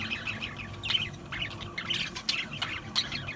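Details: Chattering budgerigars, a dense jumble of quick squeaky notes and brief squawks overlapping throughout, softer in level.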